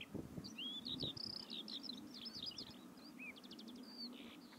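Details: Eurasian skylark, one of two landed beside a road in Biesbosch meadows in spring, singing on the ground: a fast, unbroken song of high chirps, slurred whistles and buzzy trills over the low rumble of an idling diesel engine.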